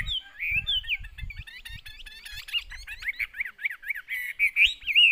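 A Chinese hwamei sings a rich run of clear, slurred whistles, then repeats quick rising-and-falling notes. Soft low knocks sound underneath.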